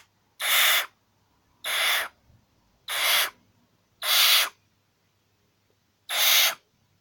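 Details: A grumpy captive female barn owl being tickled gives five harsh, breathy hissing screeches, each under half a second, spaced about one to two seconds apart, with faint voices between them.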